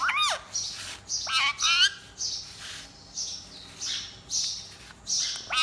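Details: Talking pet parrot, said to speak Urdu and to be scolding and making noise, calling through a series of harsh squawks and sharp whistled up-down notes about once a second, over steady room hiss.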